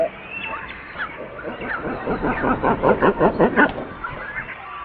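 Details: Great cormorant (Phalacrocorax carbo) calling: a series of deep, guttural croaking pulses that build in loudness and repeat roughly three times a second, then stop, with faint softer grunts before them.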